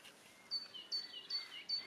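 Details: A tit sings in a vegetable garden at the end of May, repeating a high, thin two-note phrase about every 0.4 seconds, with other birds faintly in the background.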